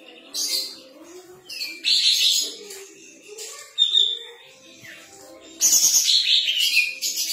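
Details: Sooty-headed bulbul singing hard with its tail spread: irregular buzzy chatter, a short clear whistle near the middle, then a long loud rasping burst at the end.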